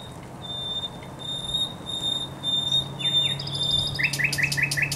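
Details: Spring song of a thrush nightingale by the Żerań Canal, 24 April 2022: a sustained thin high tone with ticking notes, then a quick run of repeated downward strokes; low steady hum underneath.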